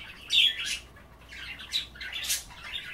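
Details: Pet budgerigars chattering while nibbling kale set out in water at bath time, skipping the bath itself; harsh squawky notes come in bursts, the loudest near the start and another pair later, with quiet scratchy chatter between.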